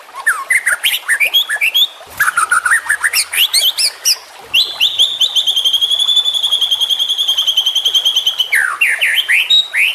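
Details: Young white-rumped shama singing: jumbled whistled slurs and rapid chips, then a long steady trill of fast identical notes lasting about four seconds, closing with descending whistles.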